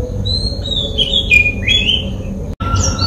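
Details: Oriental magpie-robin (Copsychus saularis) in Sri Lanka calling: clear, slurred whistles rising and falling between high and mid pitch, over a low background rumble.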